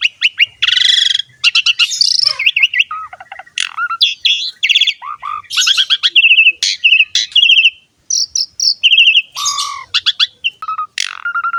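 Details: Asian pied starling (jalak suren) pouring out a long mixed song for training young starlings: dense chatter, harsh buzzes, stuttered notes and short clear whistles, nearly without pause.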